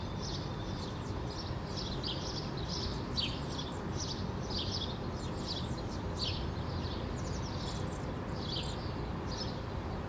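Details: A male house sparrow (Passer domesticus) perching in an apple bush in Helsinki, Finland, in June 2013, gives quick, bright chirps over and over while shaking its feathers, against a steady low rumble.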